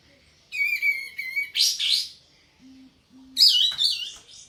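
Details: In breeding condition and spreading its tail, a sooty-headed bulbul gives a steady buzzy whistled note, then a tumbling bubbly phrase. After a pause of two faint low hums, a burst of loud chattering whistles follows.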